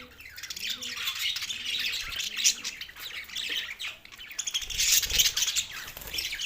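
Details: Two male pet budgies chatter in a dense stream of raspy warbles and high squeaks, swelling louder toward the end, with a few low coos early on.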